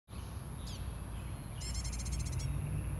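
A common tailorbird gives one sharp high note, then a quick burst of about ten bright repeated notes, over a heavy low rumble and a steady high whine.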